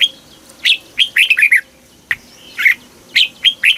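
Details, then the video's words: [1, 'Red-whiskered bulbul, caged in Thailand, singing in the southern master style played to excite other caged birds. Two quick bursts of liquid, warbled notes, each about a second long, with a short silent gap between them.'] "เสียงนกกรงหัวจุก สำหรับต่อ หรือ เปิดให้นกคึก"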